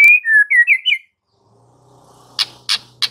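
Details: White-rumped shama master recording for getting a silent bird to sing: a short phrase of four or five clear slurred whistles, then three harsh scratchy calls after a pause, with a faint low hum.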